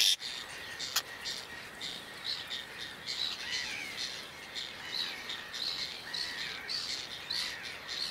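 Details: Whiskered terns in Toledo, Spain, recorded in June 2022. Scratchy, grating calls overlap almost continuously, with sharper rasps every second or so and a sudden click near the start, over a constant outdoor hiss.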